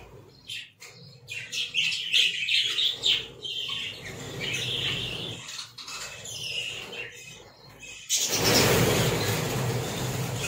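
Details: Budgerigars in a small captive breeding colony chatter as a flock with rapid, scratchy warbles and chirps.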